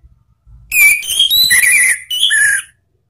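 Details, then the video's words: Orange-headed thrush, ngeplong-style song from Indonesia used as a lure for cage birds: a loud run of stepped whistles climbing and then dropping, followed by a short second phrase of two slurred notes. "ANIS MERAH BUNYI NGEPLONG ¦ PANCINGAN KICAUAN ¦ NGERIWIK"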